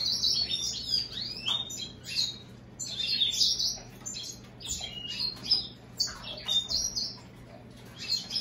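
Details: Caged American goldfinch × European greenfinch hybrid singing indoors: a lively, uneven run of high twittering chirps and short buzzy notes, bursts rising and falling with brief pauses, over a low steady room hum.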